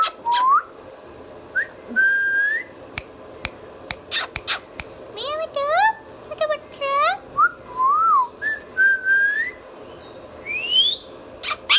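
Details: Pet Indian ringneck parakeet indoors, from a talking-parrot compilation: a run of clear whistled notes, rising and falling loops, stacked nasal chattering calls and sharp clicks, with short pauses between phrases.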